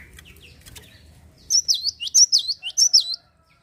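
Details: Java sparrow in lively song, used to stir other birds into singing: soft clicks, then a rapid string of high bouncing downslurred notes, roughly eight in under two seconds, ending abruptly.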